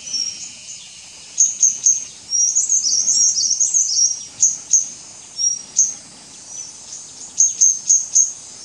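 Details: White-gorgeted Flycatcher, subspecies leucops, at Doi Ang Khang, Thailand, 24 March 2017, giving high thin whistles and clicks, with a brief twittering jumble in the middle and a constant high insect hum behind.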